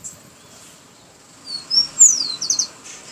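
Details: Rufous-collared sparrow singing: after a quiet start, two high clear whistled notes, then a sharp descending slur and a short fast dry trill closing the phrase, with faint low background hum.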